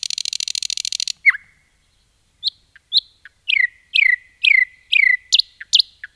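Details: Common nightingale in forest: a harsh rapid buzzing rattle for about a second, then a pause and a sequence of loud rising-and-falling whistled notes repeated roughly every half second.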